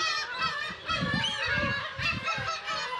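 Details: At the Kabushima colony of some 30,000 Black-tailed gulls in Hachinohe, Aomori, Japan, early summer 2020 with chicks. A loud, dense chorus of overlapping harsh mews, with a low rumble of wind.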